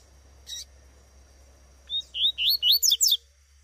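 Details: In the bush, a female Double-collared seedeater utters one brief high note, then a fast series of about seven squeaky, upward-sweeping chirps that end abruptly.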